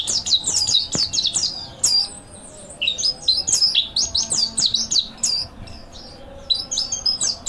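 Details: Mountain white-eye training master song: bright, rapid chirps sweeping up and down at high pitch, delivered in lively clusters with short pauses between them.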